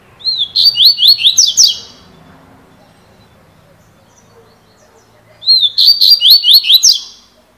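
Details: Double-collared seedeater giving the cilada song style twice, about five seconds apart. Each phrase starts with a thin whistle and runs into quick, rising, sweeping notes, with faint low background noise between.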